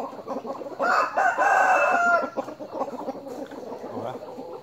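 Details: Fighting-cock (game fowl) rooster raised in a rubber plantation crows in the morning: one long, strained crow lasting over a second, rising then holding, with other chickens clucking and murmuring in the background.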